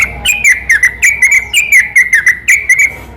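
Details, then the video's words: Yellow-vented bulbul night song used as a lure to provoke other bulbuls: a fast, uneven series of short chirped notes, about two per second, sliding slightly downward, with a quiet background. "burung trucukan seketika langsung nyaut dengar suara pancingan ini"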